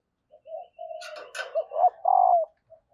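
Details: A soft cooing female spotted dove, calling to prompt males to coo, gives a run of low hollow notes ending in one long steady coo, with scraping and rustling noises mixed in.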